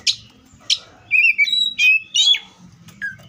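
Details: In the wild, an Oriental magpie-robin sings sharp clicks followed by clear whistled and slurred notes, some sliding downward, over low background rumble.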